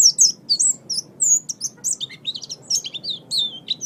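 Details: Oriental white-eye (pleci) song used as training material for pet birds: a fast, jumbled stream of high sweet chirps and slurred whistles, some notes dipping lower, over a soft low hum.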